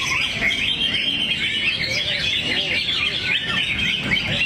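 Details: Greater green leafbird singing low and crouched, delivering its material: continuous high twittering and quick whistled phrases, with a human voice faintly audible underneath.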